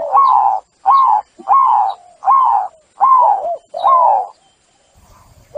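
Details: Lure song of a zebra dove, played to restore cooing in birds stressed after being trapped. Six evenly spaced cooing phrases, each beginning high and gliding downward, roughly one every 0.75 seconds, then quiet.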